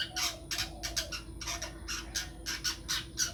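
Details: Long-tailed shrike, a caged songbird being groomed as a future contest champion, repeats harsh, scratchy notes about three times a second over a steady electrical hum.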